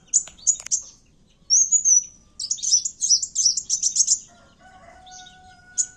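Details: Kowul fighting calls used as a lure: sharp high chirps, a slurred whistle, then a rapid buzzy series of notes, followed by two steady low tones and a final chirp.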